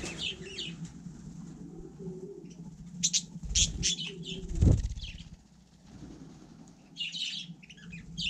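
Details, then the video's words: Budgerigar in frost on snow, producing scratchy chattering notes at the start and end, interrupted by clicks, thumps and handling noise in the middle. "Andulka vlnkovaná 4 - na sněhu v mrazu"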